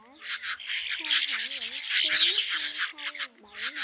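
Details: Swiftlets, male and female, calling the flock to roost, used as a trapping lure. Dense buzzy chattering runs with brief gaps, over faint lower wavering whistled tones.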